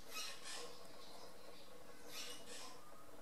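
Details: Barn swallow (Hirundo rustica) giving two pairs of brief, high, scratchy chirps about two seconds apart, over a soft low background hum.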